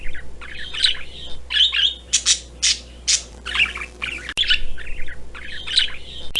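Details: Parrot giving harsh, raspy squawks and shrill screeches in bursts, some short and sharp, others drawn out, over a steady low electrical hum.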